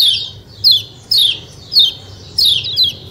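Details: Short burst of kecial kuning white-eye 'ciak ciak' notes: six loud, high chirps, each sweeping steeply downward, some paired, spaced roughly half a second apart.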